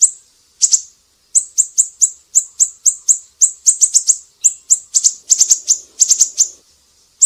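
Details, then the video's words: Siri-siri, recorded as a song tutor for kacer and murai batu: after a short pause, a steady rhythmic stream of high, sharp chips breaks into rapid clustered bursts toward the end. "Masteran burung siri-siri GACOR"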